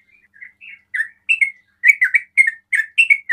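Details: Sooty-headed bulbul in 'ropel' song, which triggers other bulbuls to call; quiet slurred notes build into a quick series of loud, bubbly, downslurred chirps about three per second.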